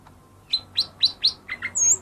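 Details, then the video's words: Lesser green leafbird song used as a lure to get reluctant birds singing: after a quiet start, four quick rising chirps near the same pitch, two lower slurred notes, then a long high whistle. "suara burung cucak ijo mini yang paling ampuh buat pancing yang malas bunyi"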